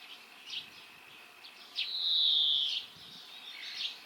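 A European Greenfinch gives a drawn-out, high, slightly wheezy note lasting about a second, framed by brief faint chirps and twitters.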